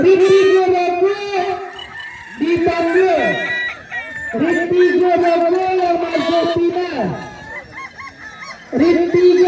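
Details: At a Balenggek chicken crowing competition in Danau Bawah, Solok, on 6 October 2024, roosters give long sustained crows in several stepped sections, each trailing off in a falling slur, with overlapping crows and crowd noise.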